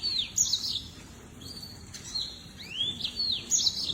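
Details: Lemon-breasted canary, also called lemon-breasted seedeater: high, thin whistled notes that slur down and arch up and over, given in quick loose phrases over faint background noise.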